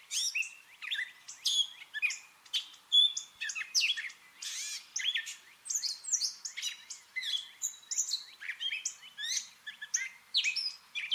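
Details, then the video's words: Gray catbird singing a mimicking song: a rapid, continuous jumble of varied squeaky, whistled and scratchy phrases, each short and changing in pitch, delivered without pause over clear quiet surroundings. "Catbird sounds: mimicking & singing song"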